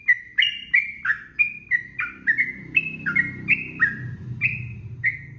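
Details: Sooty-headed bulbul song, recorded as master audio to make birds sing long and fluently: quick, cheerful, falling whistles repeated about three per second over a noticeable low background rumble.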